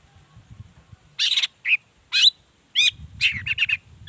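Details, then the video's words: Long-tailed shrike song, used to stir other shrikes into calling; scratchy chattering notes and short slurred twangs in uneven bursts, with a faint low rumble underneath. "Suara Cendet Gacor Pagi Siang Sore Biangnya Bikin Cendet Manapun Nyaut Emosi Ikutan Bunyi"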